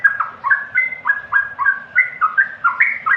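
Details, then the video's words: Brief yellow-vented bulbul song made of quick, clear whistles that rise and fall. The notes sound in a rapid, slightly uneven chattering series. "suara terbaik burung Trucukan"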